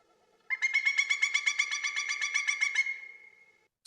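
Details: Pileated Woodpecker giving its loud call, a fairly regular series of yelping notes: about fifteen ringing, evenly spaced notes in under three seconds, trailing off at the end.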